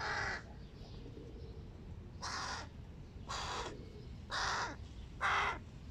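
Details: Big hooded crow young begging during a family breakfast: five rough, hoarse caws spaced about a second apart, the last ones louder and sharper, over faint steady background noise.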